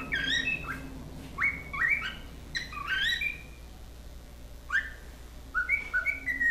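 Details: A pair of cockatiels, male and female, let loose around the house and yard, are played a video to learn singing. They whistle short, clear tonal phrases with quick rising and falling slides in bursts every second or so, over a low steady hum.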